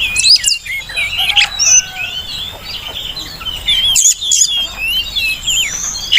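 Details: Continuous song of an Oriental magpie-robin, recorded to coax and tutor captive birds: a dense stream of high twittering, warbled whistles and quick trills, with faint fluttering and a steady hiss behind.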